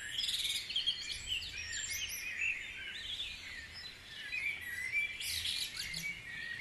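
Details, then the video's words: Guisborough at dawn: many birds give rapid high chirps, trills and brief pure whistles in a thick, continuous chorus, with little else audible. "Dawn Chorus"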